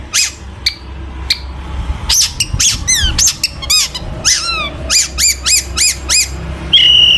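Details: Long-tailed shrike in energetic song full of mimicked fills, used to provoke other shrikes to sing: sharp, upswept squeaky notes repeated about three times a second, indoors with a steady low hum.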